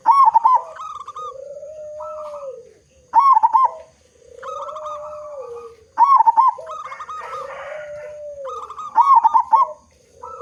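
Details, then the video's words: Zebra dove of a local strain, big-voiced and in full song as a lure for other doves; four loud bubbling trilled phrases come roughly every three seconds, each followed by softer, slurred lower coos. "Perkutut Lokal Gacor Suara Besar Cocok Untuk Pancingan Semua Jenis Burung Perkutut Agar Cepat Bunyi"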